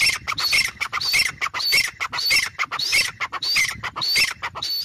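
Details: Grey francolin (teetar) calling: harsh, squawking high notes repeated rapidly, well over one per second, in a continuous run with no other clear sounds.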